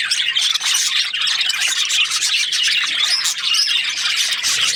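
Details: Lively unbroken chorus of Australian budgerigar chirps, high twittering and squeaky warbles densely layered throughout.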